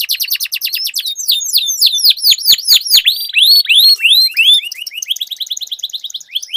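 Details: Canaries in a singing duel used to spur silent birds to sing: dense overlapping trills and sharp downslurred whistles with a few clicks, then quick rising chirps repeated in a long roll.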